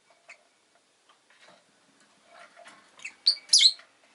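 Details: Rosy-faced lovebird chirping, starting with soft scattered ticks and short notes that build into loud, shrill, high chirps at the close, set against city noise such as traffic.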